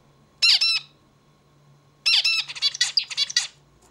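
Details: A zebra finch sings. A short burst of buzzy, harmonic-rich notes comes first. After a pause of over a second, a longer rapid string of nasal buzzes and sharp chips follows. A low steady hum runs underneath.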